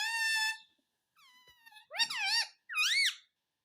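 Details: Pet parrot said to be saying "mummy": steady high whistled tones with rich overtones, a pause, then two louder wavering, bending calls in a quick pair.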